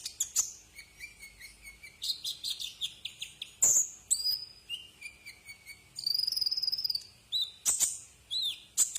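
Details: Brown-throated sunbird song as a tutor recording for cage birds: a run of quick high chips, thin whistled notes, a buzzy trill held for about a second, then sharp high calls.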